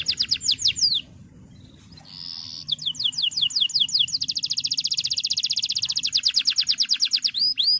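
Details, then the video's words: Singing male canary meant to spur a rival and coach young birds: descending whistles, a brief pause with a held note, then a long, fast mechanical trill before closing with upward sweeps. "Cuit Cuit Kenari Memanggil Lawan"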